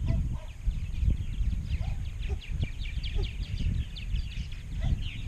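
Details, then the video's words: Chorus of purple martins at a big Rainsville, Alabama colony of about 920-930 pairs. Rapid rows of short sliding chirps pour out continuously, and a few lower gurgled notes stand out over a strong low rumble. "Large Purple Martin Colony"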